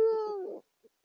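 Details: Eurasian eagle-owl, one of a courting male-female pair at the nest site in Saxony, Germany, January 2022: a single clear tonal note that sags slightly in pitch, then ends in a rough breathy tail, followed by two faint soft notes.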